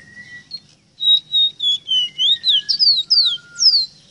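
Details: Ruddy-breasted seedeater tutor song for training captive birds: a faint low whistle, then a run of about a dozen quick whistled notes, sliding down then sharply up, accelerating toward the end.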